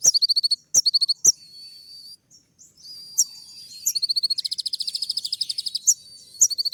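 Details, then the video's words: Brown-throated sunbird (kolibri ninja) in a provoking training recording: quick chattered series and sharp whistles, then a long, dense, fast buzzy trill, with faint hiss behind. "putar sekali koninmu pasti nyaut masteran suara tembak yang buat konin emosi"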